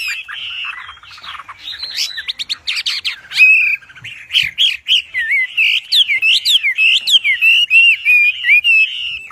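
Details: Wambi in active, forceful song used as a master for bird training; scratchy chattering opening, then rapid high whistled notes and twisting slurs repeated at a quick, uneven pace.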